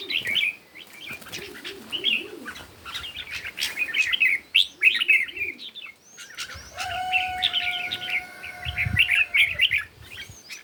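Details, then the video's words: Morning competition singing by red-whiskered bulbuls: dense runs of chirpy, whistled phrases that rise and dip quickly and repeat many times, with softer lower warbles in the first half and a thin sustained tone later. "Chim Chào Mào Hót Đấu Buổi Sáng"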